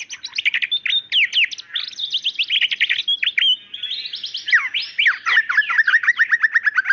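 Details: Female white-rumped shama calling to the male: a rich, varied run of quick whistled sweeps, trills and chattering phrases, rising and falling continuously without pause.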